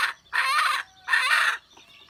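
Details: Wild junglefowl hen, recorded 27 January 2015: two loud, raspy, broadband bursts, each about half a second long, separated by a brief pause, with a short fading note at the start.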